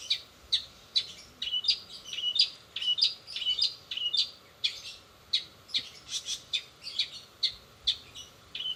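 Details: Long-tailed shrike in fast rolling song with mimicked sparrow, sogon and canary notes, giving sharp, high chirps and short sweeping phrases in a quick, uneven series, close and clear over a quiet background.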